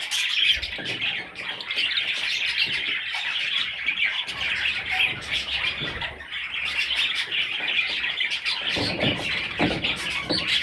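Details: Budgerigar chicks in a constant high chorus of thin chirps and raspy squeaks, steady loudness throughout.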